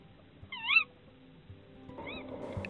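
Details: Female Tawny owl at an ash-tree nest in the Yorkshire Wolds, 2021, tired from producing eggs, gives two wavering, slightly nasal calls, the second fainter, asking her mate for food; soft background music enters partway.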